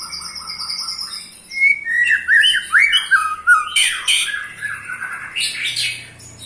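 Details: White-rumped shama, eight-month-old pastol male kept in a cage, trilling to provoke rivals: a series of buzzy rising notes, then bright upswept whistles and a burst of harsh, broad chattering.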